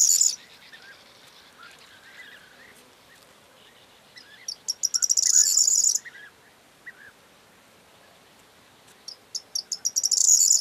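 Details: Corn bunting singing, 4 June 2022: a full song of accelerating high ticks that run together into a fast, glassy jingling trill lasting about a second and a half, repeated near the end, with soft lower chirps of other birds between songs.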